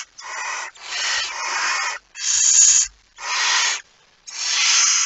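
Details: At 01:49 on 17 September 2019, a barn owl holding a mouse gives five long, rasping hisses, some nearly a second long, with brief pauses between them.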